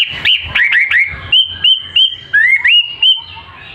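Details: Caged songbird in full song, sharp whistled notes repeated about three times a second, mostly steady high tones with some rising slurred whistles and short chirps, over faint low background noise.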